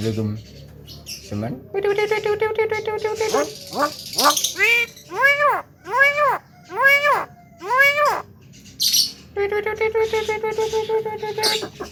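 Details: Male Javan myna chattering and imitating speech: nasal, harmonic droning phrases open and close the passage, with a run of five arched, rising-then-falling notes and a few harsh scratchy bursts between them.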